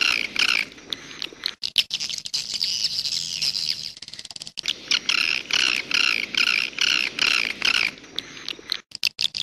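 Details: Edible-nest swiftlet in the 'jaguar' style: a shrill, layered chirp repeated in quick, evenly spaced pulses, about two per second, with a brief near-silent pause in the middle.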